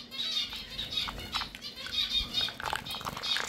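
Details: Java sparrows chatter with high thin whistled notes and quick clicks, repeated in loose bursts over a faint low hum, with some scuffling sounds of movement.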